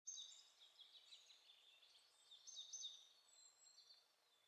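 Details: Several Eurasian siskins (Spinus spinus) at the top of a pine tree give a faint, continuous high twittering of thin chirps and wheezy notes, overlapping as they call together.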